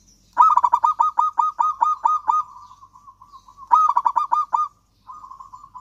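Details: Local zebra dove singing actively, meant to coax silent doves into song: a long run of about ten loud staccato coos, a fading trill, then a second shorter burst of cooing notes and a soft trill.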